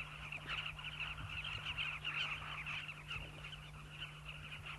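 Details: Breeding colony of migrant southern carmine bee-eaters nesting in river banks in the South Luangwa Valley, Zambia; many birds calling at once in a busy, unbroken chorus of short rolling notes, over a constant low hum.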